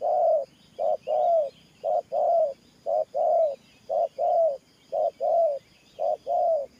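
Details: Low, mellow coos from a spotted dove in Thổ Pha style, delivered very evenly: about eight short-then-long pairs at an even beat, faint bird chirps far behind.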